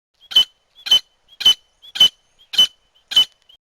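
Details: Female Grey francolin calling, as used by hunters to attract birds: a steady series of six abrupt, clipped notes, each with a faint high whistle, evenly spaced a little over half a second apart in silence.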